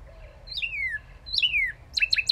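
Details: Northern cardinal singing two long, clear whistles that slide down from high to lower pitch, followed by three quick, sharp downslurred notes. A soft, low whistle is heard faintly at the start.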